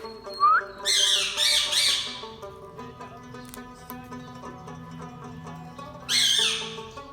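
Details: Pet Indian ringneck parrot perched in a plant gives harsh, high, buzzy squawks: a short rising note, then a long raspy burst lasting about a second, quiet, then another loud squawk near the end, over steady background music.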